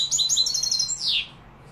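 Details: European goldfinch linked to Malaga and Morocco, singing a fast tinkling run of high twittering notes that ends in a long descending buzzy slur.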